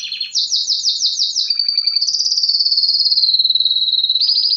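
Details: Canary song: about six quick looping whistled notes, then a long, even, rapidly pulsed trill at high pitch, closing with a slightly higher rolling phrase.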